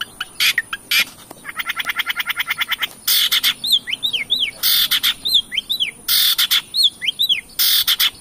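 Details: Long-tailed shrike lure recording meant to provoke singing: a fast rattling series of notes, then harsh rasping bursts interleaved with clear downslurred and upslurred whistles, with a constant high-pitched whine behind.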